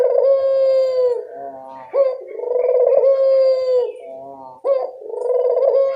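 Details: Local barbary dove calling as a lure to draw replies: repeated low coos, each starting with a quick rising note, then a buzzy rolled section easing into a long sustained hum.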